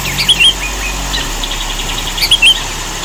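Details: A sooty-headed bulbul (Pycnonotus aurigaster) sings in a recording used as a training song for other songbirds: two short, bubbly whistled phrases about two seconds apart, over a faint low engine-like hum.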